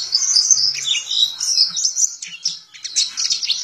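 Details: Caged white-eye (Zosterops) in full song, beak open, kept in Indonesia for its mimicry: continuous high twittering chirps and warbles, rapid and jumbled, with brief sliding notes dipping lower, faint low hum beneath.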